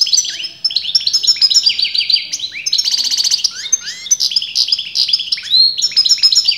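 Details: Continuous song of a European goldfinch whose sex breeders disagree on: a dense, unbroken stream of high, twittering and tinkling notes, fast trills and buzzy rattles, lively and varied throughout.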